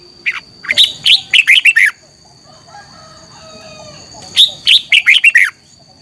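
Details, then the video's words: Red-whiskered bulbul singing in the morning, a competition song used to stimulate other birds: two bursts of five or six loud, slurred whistled notes, each phrase about a second long, separated by a quiet gap, with a steady high tone behind. "Luyện chào mào hót sáng - chào mào hót đấu"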